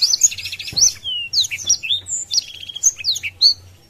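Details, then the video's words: Caged Blackthroat in loud 'gacor' song against rivals: buzzy trilled notes, swift whistled sweeps and chirps, a sharp click early on, low hum throughout. "Blackthroat Gacor Buka Sayap | Memancing Emosi Lawan"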